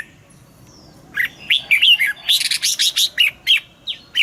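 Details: Red-whiskered bulbul morning song in the double-note style, used for training caged birds. After a second of quiet, a lively string of short, bright, bubbling notes follows one another rapidly, each phrase chirpy and rising-falling.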